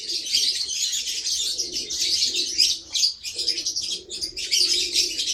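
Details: Lovebird producing a steady stream of shrill, buzzy chattering notes with brief dips, a faint lower coo-like murmur beneath.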